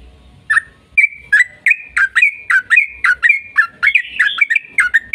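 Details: Trucukan, or yellow-vented bulbul, in long 'ropel' song meant to spur other bulbuls to sing: a steady run of rich, warbled whistles with downward-dipping notes, growing busier and more tangled toward the end.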